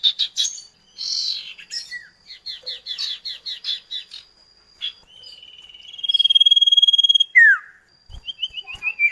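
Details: Common iora duet used as a lure to make kept birds sing, with a series of short chirped notes, a buzzy burst, a rapid pulsing trill, then falling slurred whistles.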